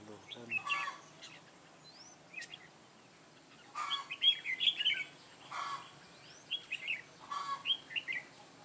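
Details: Caged red-whiskered bulbul decoy (Mũ lân Ché) singing to attract wild birds into a trap, 9 June 2017. Bright, lively warbling phrases repeat at intervals, separated by loud rustling bursts.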